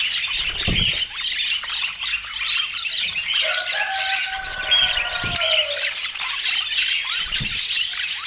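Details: Budgerigars chattering in fast squeaky warbles; midway two smooth, steady whistled tones sound together for a few seconds over the chatter, with occasional low knocks.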